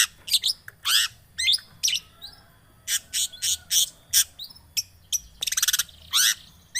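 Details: Long-tailed shrike (cendet) lure recording to get other birds singing: a varied sequence of harsh, buzzy bursts mixed with short whistled notes and a fast rattling trill, uneven rhythm, quiet background.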